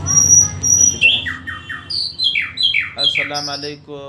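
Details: Two long high whistles open this nightingale phrase, followed by a string of falling slurred notes and rapid repeated chirps climbing and dropping in pitch.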